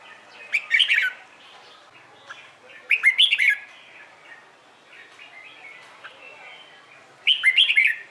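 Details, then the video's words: In the morning, a Red-whiskered bulbul delivers its competition-style training song: three short, chattering warbled phrases roughly every two to three seconds, each a burst of quick, twisting whistles, with soft background hiss between. "LUYỆN CHÀO MÀO HÓT ĐẤU/ HƠN 12 P CHÀO MÀO HÓT BUỔI SÁNG KÍCH BỔI RA GIỌNG HÓT THEO THUẦN CHIM NHANH"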